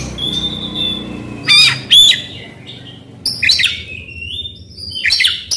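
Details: Oriental magpie-robin song played to set a silent bird singing: a thin steady whistle, then two sharp loud bursts, a scratchy phrase with a falling whistle, and a final harsh chatter.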